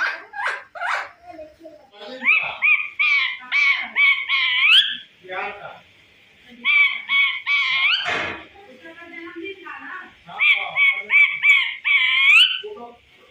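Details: Much-chattering talking parrot, imitator of cat meows and dog barks, keeps up a long stream of squawks, rising whiny notes and babble, broken by short pauses and one harsh screech midway.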